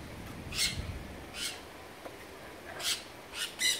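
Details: Sun conures kept at Artis zoo, Amsterdam: scattered loud, grating squawks with long quiet gaps, the last three coming in quick succession.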